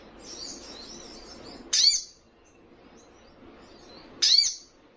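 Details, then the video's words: A young, still-speckled sogon sings vigorously to provoke rivals, giving two loud, high, sweeping bursts about two seconds apart over faint, thin, rapid chattering notes. "Sogon trotolan paling gacor dan bikin emosi lawan!"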